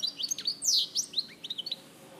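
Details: European goldfinch from Larache in 2014, rapid twittering song phrase with a harsh buzzy note in the middle, then sliding chirps that fade out.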